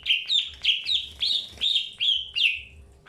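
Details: Greater green leafbird during early pairing: a steady series of six bright whistled notes, each starting with a sharp upward flick then settling and sliding down, roughly two per second.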